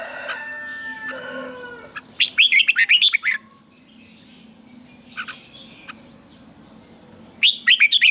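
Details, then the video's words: Red-whiskered bulbul morning song for training: opens with steady humming background and soft tonal notes, then a loud fast run of warbled phrases, a brief note, and another quick warbling burst at the end. "luyện chào mào hót sáng hay nhất 2020, Âm kép xoắn căng, cách luyện chào mào hót căng lửa"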